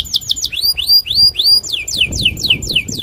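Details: Loper canary in a rage, challenging a rival to sing. Arched, rising-then-falling whistled notes come about three a second, then shift to steeper downward sweeps.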